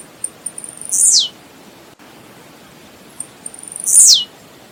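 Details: Blue-black grassquit song in nature: two phrases, each opening with a few accelerating high ticks and ending in a loud, buzzy, steeply descending note, separated by about three seconds of quiet hiss.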